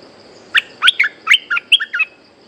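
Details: Bulbul, a resident bird answering a lure bird, gives a quick burst of short, bubbling two-note phrases, about eight notes in under two seconds, over steady faint background noise.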